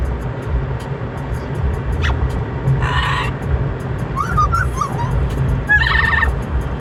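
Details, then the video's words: Amazon parrot kept as a pet, vocalizing on a Sunday drive: a few brief harsh squawks and short bubbly warbled notes scattered across a constant low road and engine drone. "Amazon parrot singing and making noise on casual Sunday car ride."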